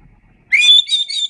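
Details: White-rumped shama song recorded as training material: a single rising whistle that levels into a sustained clear note, followed by short warbled high notes.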